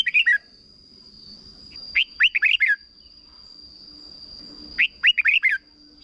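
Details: Red-whiskered bulbul song in the short 'berb' style, played so young birds can learn it. Quick chains of four to five chirpy, rising-falling whistles come about every three seconds over a thin steady whine.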